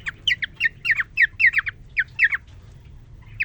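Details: Caged male cockatiel courting a newly introduced female after three days kept alone: rapid, uneven chirps and squawky whistled notes in a loose burst, then a lone note after a pause, faint low hum behind.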